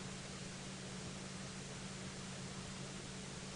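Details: Constant hiss of broadband noise over a low steady hum, without any animal voice.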